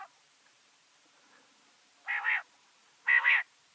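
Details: Female common quail giving two short raspy, buzzy notes about a second apart, each split into two quick pulses, in an otherwise quiet recording.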